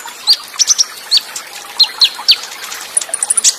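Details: Olive-backed sunbird, Cililin shot style song material: spaced, sharp, high chirps with short upward flicks, ending in a quick burst of very high ticking notes. A faint trickle of water runs underneath.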